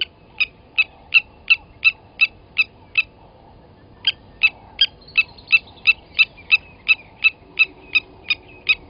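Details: Rapid series of clinking, anvil-like notes from a blacksmith lapwing, a second caller overlapping after a brief pause, at Gowrie dam, Djuma, South Africa, 29 August 2020 at 07:47, during an adult killing a chick taken from the nest.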